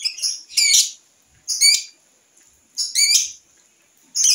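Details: Young lovebird tested on a home porch while still learning its voice: loud, rasping high squawks in clusters, about one burst every second or so, separated by near silence.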